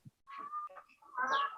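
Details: Laying hens in a coop of about 100 birds that were moved there from another coop. Two drawn-out, tonal calls, the second louder and ending in a nasal, squawking rise, after a brief low thump.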